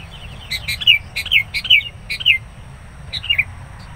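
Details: Sooty-headed bulbul calling angrily at an approaching rival during trapping of wild bulbuls; repeated bubbly, downslurred chirps in a lively cluster, a short gap, then a closing three-note phrase.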